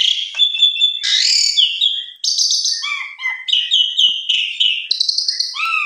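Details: Asian pied starling singing excitedly against a rival, a nearly continuous stream of grating notes, clear whistles and twittering chirps that shift rapidly in pitch.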